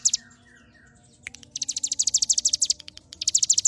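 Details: Hill prinia singing, a very high, rapid trill of sharp repeated notes in bursts, a long run of about twenty notes after a pause, with a faint low hum underneath.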